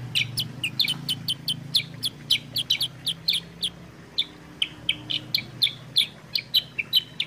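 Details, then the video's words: Sooty-headed bulbul song used as a lure and tutor to prompt other birds to sing: a quick, lively run of sharp, high chirps several times per second, briefly pausing near the middle, over a faint low rumble. "pancingan suara kutilang sutra gacor jernih"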